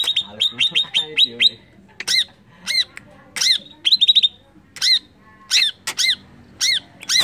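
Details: Greater green leafbird lure song used to make rival birds agitated. It opens with a rapid run of high chipping notes, then loud, arched, bouncing squeaks repeated at irregular intervals, with low murmured voices faintly underneath.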